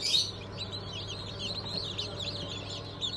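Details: A crowd of newly hatched chickens of the Cream Legbar, Sussex, Sultan and Fizan breeds, hatched 20 June 2023. Bright, brief descending peeps run almost continuously, with one sharper burst at the start over a low drone.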